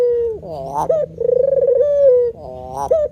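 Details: A cooing male spotted dove (puter): a falling tail note, then a climbing, wavering introduction and a long throaty coo that smooths out and drops away. The coo starts again at the end, in quiet surroundings.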